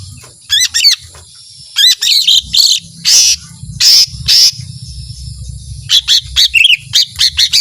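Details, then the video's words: Lively lesser green leafbird song of the long 'tembakan panjang' kind: clusters of rapid high chirps alternating with brighter buzzy whistles, some faint low rumbling beneath. "ijo mini gacor suara tembakan panjang full emosi"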